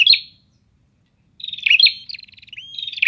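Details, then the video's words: A prinia sings a short burst, falls silent, then resumes with a long string of quick pulsed buzzy notes, a smooth upward-sliding whistle and another bright trill, all high-pitched. "Suara Ocehan Burung Prenjak"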